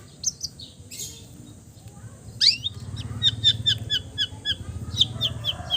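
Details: Long-tailed shrike performing a varied song that imitates other birds. A few scattered high notes lead into a steady run of about a dozen sharp, high chips, roughly two per second.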